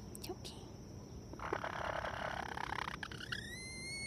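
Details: A Light Brahma bantam hen gives an aerial predator alarm, a harsh, rasping burst and then a high, thin rising note, over faint background noise; her owner suspects she has seen a hawk.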